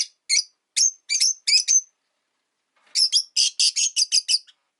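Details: Rosy-faced lovebirds kept as pets, five birds in a window-side cage, vocal despite winter: two bursts of shrill, harsh high chirps in quick clusters, separated by a brief pause.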